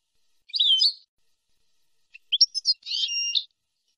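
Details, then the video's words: European goldfinch on a clean training recording for young birds, in the nahrat and taqasim style: a short warbled phrase, a pause, then quick chirps followed by a harsh buzzy note. "شريط لغة حسون نهرات وتقاسيم"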